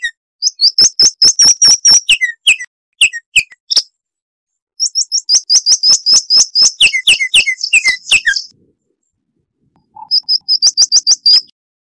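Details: Chestnut-vented warbler (Curruca subcaerulea) sings three bursts of rapid, high, ringing notes, quick chattering trills with sharper down-slurred accents, separated by brief pauses.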